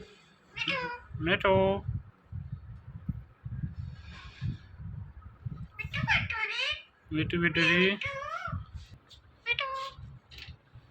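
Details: Pet talking parrot repeating the word "Mithu" indoors: several bursts of harmonic, voice-like syllables, some rising and falling, spread over the clip with quiet low rumble between them.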